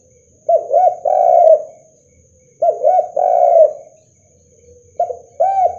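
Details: Spotted dove (derkuku) calling hard to provoke rival doves. Deep cooing phrases come about every two seconds, each two quick rounded notes and then a long, slightly falling coo. A thin constant high whine sits in the background.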